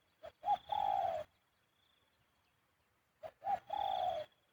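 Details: Spotted dove in khu-ang coo style, its habitual pattern: two phrases, each with a short note, a stressed coo and a long steady coo, over a rough, hissy background with clicks.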